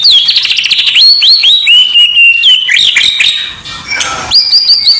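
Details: White-rumped shama training song for a contest: rapid trill opening into looping clear whistles and chattering notes, a brief harsh rasp, then quick repeated upswept whistles.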